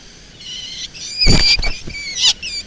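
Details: Black drongo sound intended as a lure: steady ringing tonal notes rich in overtones, interrupted by a loud harsh burst with clicks, then a brief rasp and more ringing tones.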